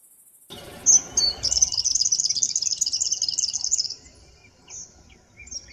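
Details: East African sky-island double-collared sunbird gives a rapid, very high, jingling twitter of tightly packed notes for about three seconds, with a few sharp notes before and after, over a faint background rumble.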